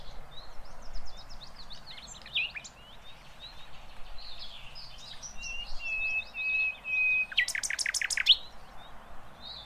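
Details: Sikatan londo flycatcher giving rough 'tembakan' song, used for tutoring songbirds: varied high twitters and slurred notes, a short steady whistle, then a fast rattling burst of sharp notes, over constant background noise.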